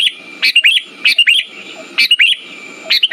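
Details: Bubbly whistled phrases of a sooty-headed bulbul, used as a lure to make silent birds sing, come in two or three quick notes per burst with pauses between, over a faint whine and low murmur.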